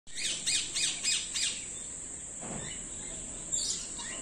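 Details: A common hill myna at Jamshedpur Zoo after lockdown gives a quick run of five harsh, ringing squawks about three a second, then a lower slurred note and one more squawk, over steady high hiss.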